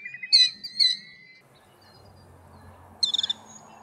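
A Killdeer gives two shrill, high notes, then a quick burst of four or five rapid piping notes, over a faint low rumble.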